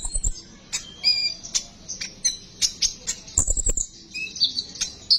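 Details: Sunbird song recorded as a lure to stimulate other sunbirds to sing: rapid high chirps and thin trills, with short sharp notes and brief twittering phrases overlapping throughout.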